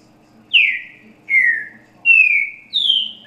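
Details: Great thrush song in the slow, soft style locally called 'grego boca mole com boi', used to teach chicks: four clear whistled notes, each sliding downward, spaced under a second apart.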